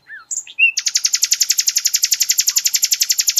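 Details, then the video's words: Flycatcher song for tutoring cage songbirds: brief whistled notes leading into a rapid, very regular high trill of sharp repeated notes, roughly eight per second, continuing to the end. "MASTERAN BURUNG SIKATAN LONDO TEMBAKAN DAHSYAT"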